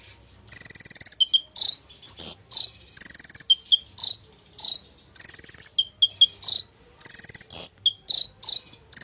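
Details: Golden-fronted leafbird in full song with jozz inserts, repeating very high buzzy cricket-like trills alternated with short whistled notes and clicks in a steady, fast sequence.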